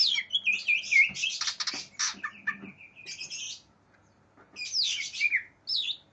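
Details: Loud aggressive song of a greater green leafbird seeking an opponent, a busy jumble of harsh rasping bursts, chattering and slurred whistles, a brief pause, then more scratchy phrases and whistles.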